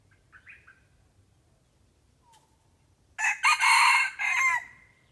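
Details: Red junglefowl responding near a decoy bird: a few faint distant notes and a soft click, then a powerful, grating crow of several bursts lasting about a second and a half before falling silent.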